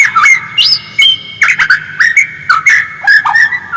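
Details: A white-rumped shama's original song, used as a lure to make birds sing actively: clear whistled notes and quick slurs in short, evenly spaced phrases, punctuated by sharp clicks.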